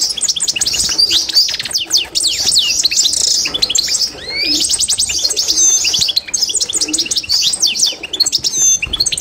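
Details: Constantine goldfinch in song training: fast, high, twittering song of rapid rising and falling notes, tinkling trills and short buzzes, nearly continuous, with brief pauses.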